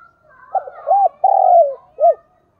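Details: Spotted dove kept as a decoy gives a thúc bổi call of rounded notes, a drawn-out coo easing downward and a short arched ending. A faint thin whistle sits in the background.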